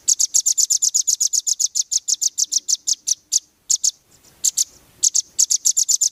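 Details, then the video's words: Competition-bird training recording of a velvet-fronted nuthatch: a long, rapid series of shrill high chips, a brief break with a few isolated notes, then another quick run of chips. "MASTERAN RAMBATAN FULL BESET 2025"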